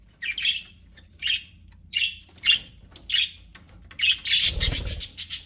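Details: Budgies in an aviary calling: short harsh chirps repeated roughly once a second, ending in a denser burst of overlapping buzzy warbling, with a low hum beneath.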